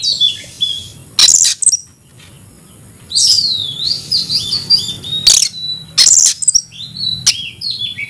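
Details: Aggressive fighting song of a caged Oriental magpie-robin: clear whistled phrases and downward-slurred notes broken by sharp, broadband snapping bursts, with pauses between phrases over a steady high hiss.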